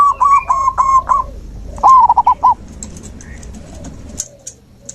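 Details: Zebra dove song played as nature therapy to restart a dove that has stopped singing: two quick bursts of clipped, rolling coo notes at a mid pitch, with thin high chirps from other birds behind.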